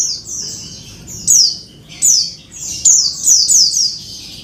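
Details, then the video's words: Calling female Oriental white-eye, used to coax a male back into full song; piercing high squeaks falling in pitch, first single, then a quick cluster of four or five notes near the end. "pleci betina panggil jantan agar gacor"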